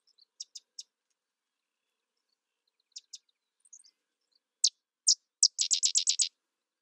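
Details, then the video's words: Sedge wren: soft scattered high chips, then three louder separate dry notes launching into a quick staccato chatter of about eight notes. "Sedge Wren Bird Sound"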